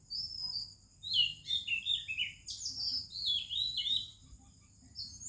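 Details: Morning song of an Oriental magpie-robin in India with other birds around: loud, tumbling sequence of clear whistles and quick warbled notes, phrases sliding downward, with a constant thin high drone behind.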